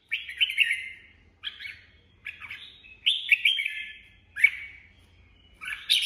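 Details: Red-whiskered bulbul singing in the improvised ché style: a run of short, bright, chattering warbled phrases, each about half a second long, separated by brief pauses and delivered about six times over several seconds.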